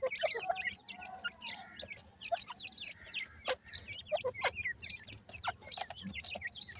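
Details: Grey francolin chicks while being fed, giving many short, high, descending peeps in quick overlapping series, with scattered sharp clicks and a soft low hum beneath.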